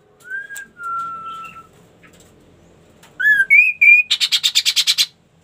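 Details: Ashy tailorbird singing a rising whistle and a long steady note, then a pause before three ascending whistles and a fast rattling trill of about ten pulses.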